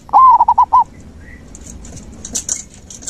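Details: Zebra dove singing, meant to stimulate a silent dove: one short run of rapid, rolling coo notes, followed by faint high twitters from other small birds.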